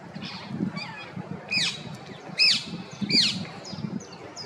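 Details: Female rose-ringed parakeet in the wild: three loud, clear arched screeches rising then falling, following fainter squeaky notes, with a low rumbling background.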